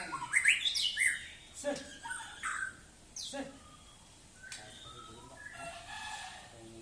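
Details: White-rumped shama giving loud, sharp whistled notes and quick slurred phrases at the start, then softer scattered chirps and pauses. Faint background murmur is heard.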